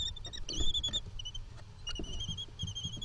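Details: European kestrel parents arguing in the Netherlands, June 2020: thin, high, slightly wavering whistled notes, short and drawn out, over low rumbling and tapping background noise.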